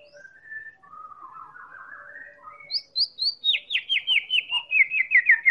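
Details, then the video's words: Song of a white-rumped shama, Medan variety, used as a lure to make other birds sing: soft slurred warbling builds into a rapid series of sharp, high, descending whistled notes. "Real Pancingan Murai Batu Medan Super"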